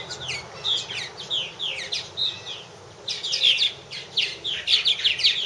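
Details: Purple martins calling at nest houses in 2014, with bursts of chirps and gurgling notes, a short lull near the middle, then a denser surge of overlapping calls.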